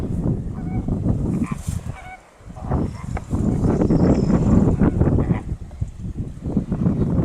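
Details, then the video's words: Greater flamingos calling in a group: a dense, low, goose-like honking gabble with short nasal notes, some clearer higher honks early on, continuous throughout. "Genti Arrùbbia - Phoenicopterus roseus - Greater Flamingo - Fenicottero rosa"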